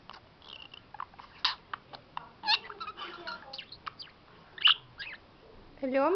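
A budgerigar chatters in quick, scratchy chirps and warbles, mixing in mimicked talking.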